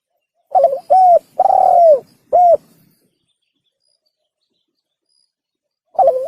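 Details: Spotted dove (tekukur) cooing, used to lure birds when hunting: one full phrase of stuttered start, arched hoot, long descending coo and final hoot, followed by quiet and the start of another phrase.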